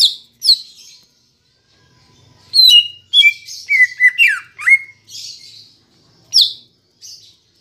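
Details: Green leafbird song played as a lure for captive birds: sharp downslurred notes open, then a fast run of varied whistles and slurred phrases dipping and rising, closing with brief bright chirps and a pause between.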